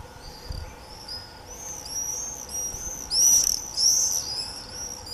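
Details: Screaming common swifts in early July 2018, a frenzy of several birds: many thin, high, buzzy screams overlapping, building to two loud passing bursts near the end, over a low background hum.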